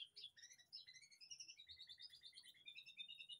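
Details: White-rumped shama kept in an aviary behind a house: high, sweet whistled notes flow in a continuous varied stream, with quick paired notes repeated several times. Soft background noise.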